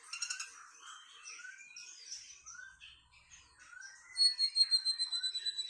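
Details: Sunda bush warbler, locally tledekan melayu, in sweet song: falling and rising whistled slurs, then a long high pure whistled note with quick pulsing chips.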